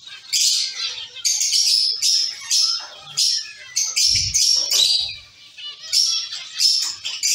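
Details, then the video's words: Zebra finches in a caged colony giving rapid, nasal trumpet-like chirps in repeated bursts, many birds overlapping, a low knock partway through. "Zebra finch sound & activities"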